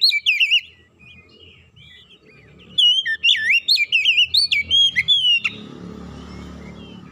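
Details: Oriental magpie-robin song, used as a lure to coax a reluctant bird into full singing: loud, varied whistled phrases with rising and falling slurs, a burst at the start, then a rapid run of notes after a quiet gap, and faint background hiss.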